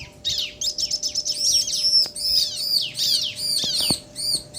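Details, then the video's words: Duetting bar-winged prinias, male and female, in crystal-style ciblek song: a fast, dense stream of high arched chirps that rises in loudness, with a few dry clicks. "Suara Ciblek Jantan dan Betina Saling Bersahutan - Bikin Ciblek Lain Emosi & Gacor"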